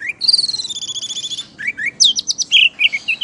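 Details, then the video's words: Vigorous gacor song of an orange-headed thrush that sways as if drunk while performing: a fast rolling trill over a second, a brief gap, then quick clipped notes and slurred whistles. "Burung Anis merah gacor,teller,ngeplay"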